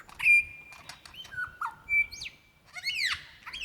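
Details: Lyrebird singing for a female in Dandenong Ranges National Park, February 2016: clear pure whistles held, then dropping, a quick rising note and a loud downward swoop, over near silence.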